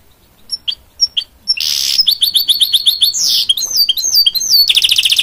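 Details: Goldfinch mule, a goldfinch-canary hybrid, opens with a few spaced high chirps, then bursts into a buzzy roll, evenly repeated twittering notes and falling whistled slurs ending in a fast trill.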